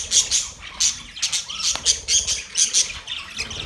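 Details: Australian parrots chattering on October 10, 2023, with sharp, separated high squawks and whistled chips spaced irregularly, about twice per second, over a quiet low background.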